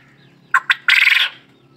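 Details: A white quail gives a loud close call: two quick clipped notes, then a drawn-out rasping, pulsed burst. The background is faint and quiet.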